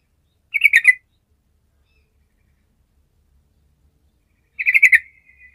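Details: Sooty-headed bulbul in gacor form, used to stir lazy birds: two short stuttering trills, each lasting half a second, separated by four seconds of silence.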